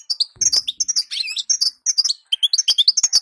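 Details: Female European goldfinch calls used to make males sing: rapid high twittering notes in short bursts, liquid chirps and tinkling trills with brief gaps, in a quiet setting.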